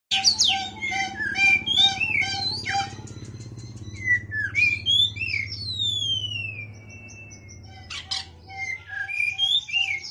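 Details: Oriental magpie-robin calling a rival: varied loud whistles, including sliding, rising and falling notes and short chirps in bursts, over a steady low hum.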